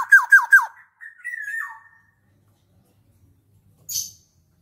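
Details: Actively singing black-naped oriole gives three loud downslurred whistles, then a wavering fluty note trailing downward; after a pause, a faint brief hiss.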